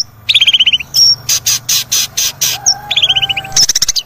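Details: Long-tailed shrike song meant to prompt a quiet caged shrike to sing: a quick descending trill of clipped notes, a high whistle, then a row of harsh rasping bursts, repeating.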